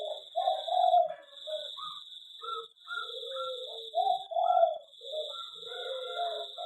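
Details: In an aviary, a zebra dove utters soft, purring coo notes and short trills in an uneven sequence, with a constant high-pitched hum throughout.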